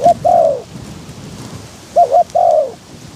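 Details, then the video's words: Spotted dove decoy calling in strong wind to lure wild doves to a trap: two cooing phrases, each of short clipped notes followed by a longer falling coo, low and mellow, with a steady rushing background. "ต่อนกเขาใหญ่ ต่อเพนียด"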